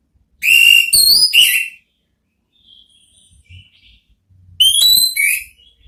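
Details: Ngeplong therapy song of an orange-headed thrush, meant to make listening thrushes reply: a loud phrase of clear whistled notes, soft faint notes and low knocks in the gap, then a second whistled phrase.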